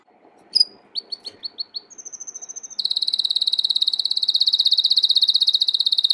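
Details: American Singer canary delivering a training song: a series of separate chirps, then a high thin trill leading into a loud rapid rolling tour of evenly repeated notes.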